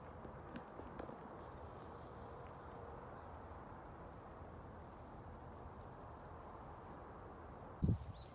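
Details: Migrating cedar waxwings in San Antonio, Texas, just before a freeze, give a steady chorus of very high, thin, lisping whistles over a low outdoor rumble, with a single thump near the end.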